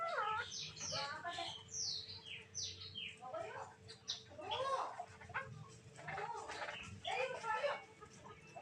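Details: Black-naped oriole singing busily, pouring out quick downslurred whistles, twisting warbled phrases and rough, scratchy chatter in uneven bursts, with a faint steady hum beneath.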